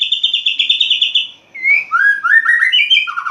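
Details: Caged white-rumped shama singing openly at dawn, a burst of rapid evenly pulsed high notes, then a short pause and a run of varied sliding whistles dropping and rising in pitch.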